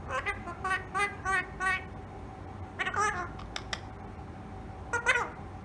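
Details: Pet rose-ringed parakeet talking indoors: a run of five quick, evenly spaced harmonic syllables in the first two seconds, then a brief pause and scattered short bursts of chattering speech-like sounds, with a faint steady hum beneath.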